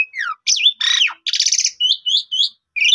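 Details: Asian pied starling singing, recorded as a lure to spur a caged bird into full song; a falling whistle, then harsh grating bursts and a run of short rising whistled notes.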